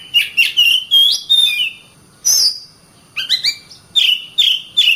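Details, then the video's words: Vigorous gacor song of an Oriental magpie-robin, with quick chirps and bright whistled notes in clusters, a high descending whistle near the middle, then stepped phrases after a brief gap. "suara burung Kacer gacor"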